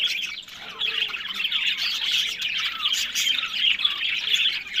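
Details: Pet budgerigars in a breeding setup in Larkana, Sindh. A raspy, buzzing flock chatter with squeaky twitters continues steadily, growing a little louder toward the end.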